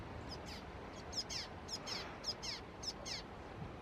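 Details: Juvenile Common Waxbills at Canidelo, Vila do Conde, Portugal, 30 November 2016, give thin, very high, downslurred call notes, repeated in an uneven stream about twice a second against a soft background hiss.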